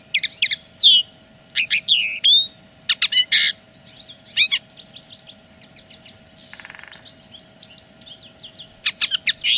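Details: Linnet song staking out territory, delivered in bursts of sharp chirps and twangy slurred notes, then a softer, quicker twittering passage with a brief buzzy rasp before loud notes return; a faint constant hum underneath.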